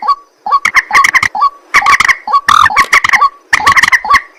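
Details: White-breasted waterhen calling at night, short rising notes leading into loud grating, clucking bursts repeated in groups.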